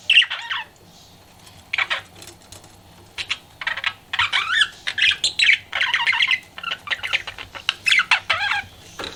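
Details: Pet budgie flirting with dense, fast warbling chatter: scratchy squawks, clicks and twittering notes strung together almost without pause after a brief quiet spell, over a faint hum.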